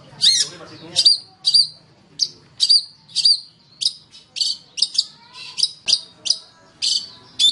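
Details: Long-tailed shrike song used as a training recording for other songbirds: harsh, raspy chattering notes repeated about twice a second in a steady run, with faint low rustling in the background.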